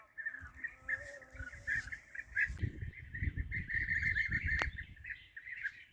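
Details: Several European bee-eaters, recorded during bee-eater hunting, give overlapping rolling, liquid 'prruip' calls about four per second, over low rumbling wind and handling noise.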